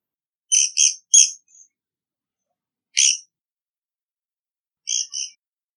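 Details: Japanese pygmy woodpecker pair nest-building in a Japanese wax tree gives short, harsh, buzzy squeaks: a quick run of three, a single note, then a pair, spaced a couple of seconds apart, with quiet between.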